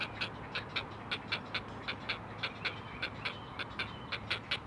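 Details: Four great blue heron chicks calling to their mother at a Chesapeake Conservancy camera nest: a steady run of sharp clicking pulses, nearly two per second, with low electrical hum behind.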